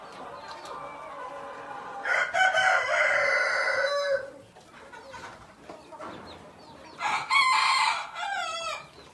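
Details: Black Tailed Red Marans rooster kept in pens, crowing twice: a long harmonic, hoarse crow of about two seconds, then a pause, then a second shorter crow with falling tail notes, over faint background clucking.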